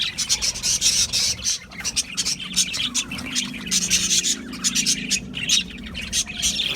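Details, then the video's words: Flock of budgerigars chattering continuously, with high, crowded chirps and buzzy warbles layered into a steady wall of bird noise and a faint low hum underneath. "Budgie Parrots Chirping sounds"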